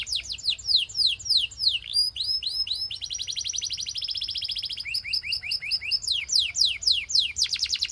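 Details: Belgian canary (Serinus canaria domestica), song: prompting other canaries to sing.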